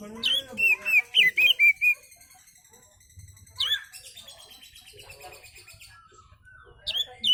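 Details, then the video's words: Oriental magpie-robin in calm song meant as a lure for other birds, opening with a quick string of loud whistled and slurred notes, then quieter buzzy chatter and scratchy notes, ending with a sharp upslurred whistle. "kicau Kacer santai ampuh buat pancingan"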